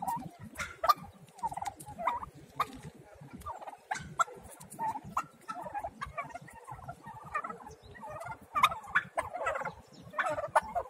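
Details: A brood of small domestic turkey chicks peeping and chirping in a steady chorus of short high notes, denser in the second half, with low rustling and movement noise beneath.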